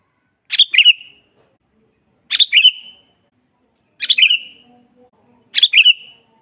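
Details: Sooty-headed bulbul in energetic song for training other birds: four repeated bubbly, chirping phrases with a trailing whistle, spaced one and a half to two seconds apart, with a faint low hum in places.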